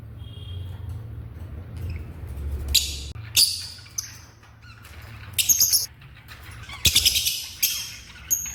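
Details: Angry African lovebirds giving harsh, noisy squawks in brief broadband bursts, some doubled or tripled in quick stutters, spaced irregularly over several seconds above a steady low indoor hum.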